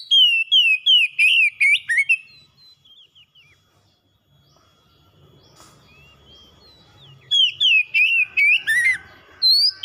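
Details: Caged pet oriental magpie-robin in a lure recording used to get a silent bird singing. A quick run of sharp, slurred whistles opens, then a quiet gap with faint background rustle, before a second bright whistled burst.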